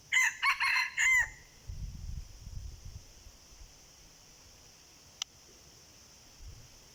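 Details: Wild red junglefowl responding to a decoy crows loudly and raspily in several short broken bursts, followed by rustling, quiet insect hum and a single sharp click.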